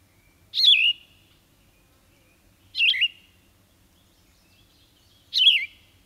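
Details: Yellow-throated Vireo singing three short, husky, rough-edged slurred phrases, each dropping in pitch, spaced about two seconds apart against a quiet background; resembles a red-eyed vireo but huskier.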